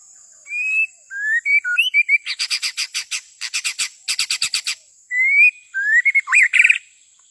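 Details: White-rumped shama singing for luring in the forest: fluty rising whistles, then long runs of sharp rapid clicking pulses, ending with more varied whistles, over a constant high whine.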